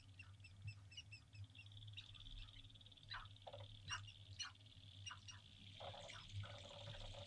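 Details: Sharp-tailed grouse males performing courtship display on a central North Dakota lek at dawn, April 2021: soft rapid ticking notes, then a run of yelping calls and drawn-out hooting tones, somewhat distant over a low hum.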